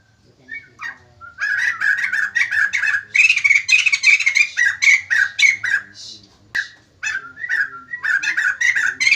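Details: White-crested laughingthrush, described as in full lively song and prompting other birds to respond; dense bursts of chattering, squeaky notes with rapid, varied phrases repeated in quick runs, brief pauses between bouts, and a faint low hum in the background.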